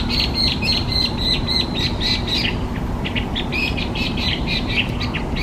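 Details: Hwamei, listed among Japan's specified invasive alien species, delivers rapid, run-together chirping phrases, the notes coming several per second and blurring into a bright, busy warble over background hum.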